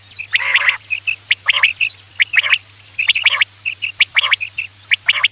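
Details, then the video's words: Quail calling at night, used as a lure for hunting; clear whistled notes repeat about once a second between harsh buzzy bursts and crisp clicking ticks, over a constant low electrical hum. "Batair ki awaz raat k liye|batair ki awaz shikar k liye"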